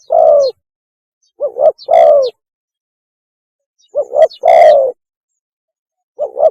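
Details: Lure recording of a spotted dove mating call: a long low coo, then two phrases of a stuttering double note running into a drawn, hoarse coo, ending with another short double note.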